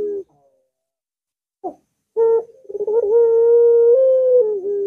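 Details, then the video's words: Barbary dove (puter) of the long-voice style meant to spur a reluctant bird to sing; after brief notes, a stuttering start swells into a long held tone that steps up slightly, then falls at the end. "Puter Macet Puter Malas Bunyi Langsung Ngaut"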